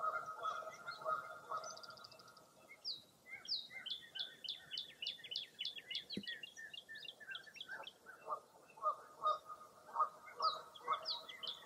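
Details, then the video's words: Several birds on a foggy early April morning at Mirror Lake State Park, Baraboo, Wisconsin: a dense, rapid chatter of high chirps about twice a second, with lower repeated calls running alongside. "Birding By Ear at Mirror Lake State Park"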